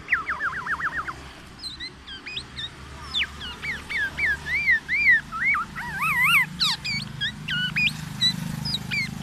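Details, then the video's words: Black-naped oriole imitating oriental magpie-robin song to provoke other orioles: opens with a fast warbling trill, then a long string of wavering whistles and clipped chirps over a low background hum. "KEPODANG EMAS,black naped oriole , FULL ISIAN MURAI BATU"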